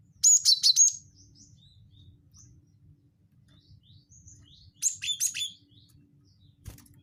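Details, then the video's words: Wingko-type cinereous tit call used as a lure: a fast cluster of three or four high chirps ending on a lower note, then quiet scattered soft notes, and a second chirping burst near the end. "pancing bunyi gelatik batu wingko"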